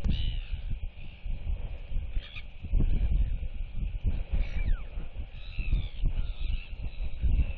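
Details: Royal albatross female at a nest colony, displaying and whistling to two young chicks while turning her head side to side, recorded 8.7.23. Several thin, sliding whistles, some rising then falling, over steady loud wind rumble.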